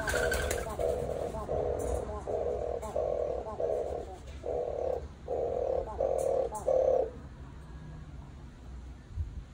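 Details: Captive European turtle doves (Streptopelia turtur) courting in an enclosure: a soft, deep, rolling purr repeated about nine times in quick succession, then silence against faint hiss.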